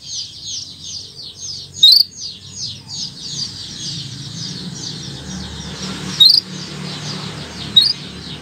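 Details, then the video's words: Canary in long continuous 'gacor' tutor song for young birds: a steady run of quick high rolling trills and warbles with a few sharp accented notes, over a low background hum. "Kicau Burung Kenari 101 II GACOR PANJANG"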